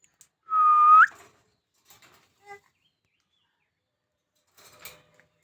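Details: Talking myna bird producing one strong, steady whistle that sweeps sharply upward at its end, followed by a few faint soft clicks and taps in otherwise quiet surroundings.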